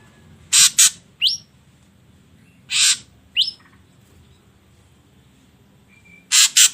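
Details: Ashy drongo song played to make other birds sing. Sparse harsh rasps are each followed by a single rising whistle, with long quiet gaps between, and a double rasp at the end.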